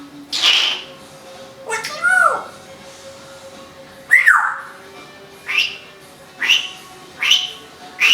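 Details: Indoor female Timneh African grey parrot that talks, sings and copies packing tape and vacuum noises makes a string of mixed sounds: harsh noisy bursts, swooping whistled notes, and short sharp rising calls repeated about once a second.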